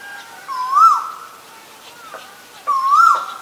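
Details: Two clear upslurred whistles from an Asian koel, each climbing smoothly to a bright peak before dropping off, separated by a pause of roughly two seconds.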